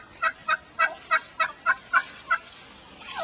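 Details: Irritated domestic hen back in the main pen after being attacked by the others, uttering eight crisp, regularly spaced squawks with a gobbling quality, then trailing off.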